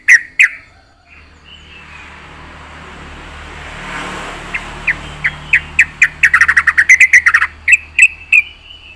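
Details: Yellow-vented bulbul gacor song, full isian: two opening chirps, a swelling rush like a passing vehicle, then an accelerating series of crisp repeated notes building into a dense chatter.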